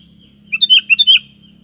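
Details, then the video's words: A kutilang, or sooty-headed bulbul, sings a rolling run of five warbled, fluty notes lasting about seven-tenths of a second, over a steady faint hum. "SUARA BURUNG KUTILANG"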